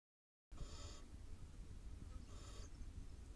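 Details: Wild barn owl owlets, a brood of eight, in a nest in Israel; two harsh, breathy hissing bursts about a second and a half apart, over a constant low background hum.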